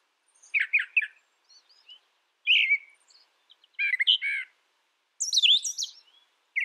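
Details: Brown thrasher song in four separate bursts: a doubled chirp, a slurred falling note, a buzzy low phrase, and a high descending warble, each followed by silence.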